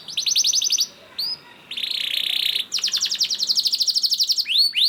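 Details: Canary singing a long lure song to start other canaries: crisp high trill, a dense buzzy roll, then a long run of rapid repeated notes ending in upward swoops.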